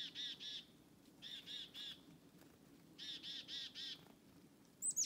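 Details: Black-capped chickadee following people through a forest, giving harsh, buzzy dee notes in quick bursts of two to four, ending in a brief high note.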